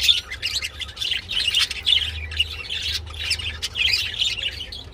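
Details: Budgerigars mating, with a steady run of squeaky, buzzy warble and chirps rising and falling in bursts, over a low hum.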